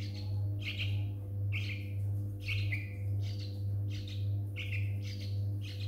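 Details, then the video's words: Pair of baby Yellow-vented Bulbuls rescued from a front yard on a morning following a thunderstorm; regular chirped calls, each a quick downslurred note, coming almost twice a second over a loud steady low hum. "Lil Baby Birbs (Yellow Vented Bulbul)"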